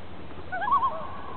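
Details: Loon calling on Casey Lake near Francois Lake, British Columbia, recorded while fishing: one brief, wavering mid-pitched note about half a second long, quavering as it fades, over a faint low rumble.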